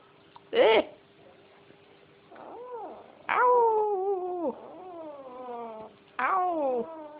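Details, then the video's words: Pet parrot bragging and singing along with people. It gives loud, harmonic vocal phrases that arch up and slide down, in bursts a few seconds apart, with quieter warbling notes between them. "parrot braging and singing"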